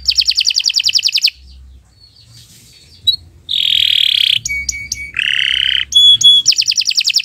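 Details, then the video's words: Morning canary song. A fast high trill opens, then comes a quiet pause, harsh buzzy rasping notes and short pure whistles, and finally a returning rapid trill. "Kicau Burung Kenari 144 II LUAR BIASA GACOR PANJANG"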